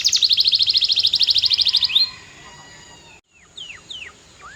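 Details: Canary song opening with a loud, rapid metallic trill lasting about two seconds, followed by a pause and a few soft, separate downslurred whistles.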